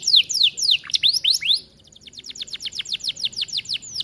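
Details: Caged Atlantic canary in vigorous song in an aviary, a tutor recording: loud descending slurred whistles, a short pause, then a fast, even trill of repeated falling notes about four per second.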